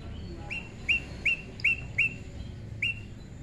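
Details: Prinia, described as tame and naturally paired: six short, sharp, bright chirps, each a quick upward flick settling into a level note, spaced irregularly about every half second over a steady background hiss.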